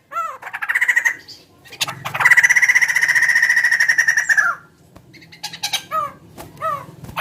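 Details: Bird with a big body and a chicken-like voice gives curved down-slurred notes, then a long nasal rattle of fast pulses lasting over two seconds, then more separate down-slurred notes.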